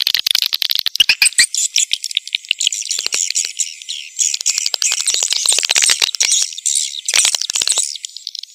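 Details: Mating lure call of edible-nest swiftlets, used to attract the birds to a nest house. A thin, high, continuous twittering of many rapid chirps, sounding filtered, with sharp clicks scattered across it.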